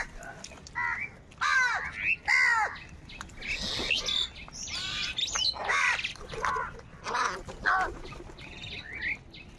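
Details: Several crows fighting over food, giving a dense, overlapping run of loud, harsh, arched calls with squawky bursts every second or so. Chirps from other birds fill the gaps, and there is faint outdoor background noise.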